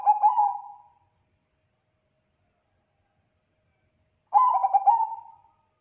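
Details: Singing Bangkok-type zebra dove, a bird whose song is said to prompt replies from other doves: the tail of one fading coo phrase, a long pause, then a fresh burst of quick staccato coos trailing into a sustained note.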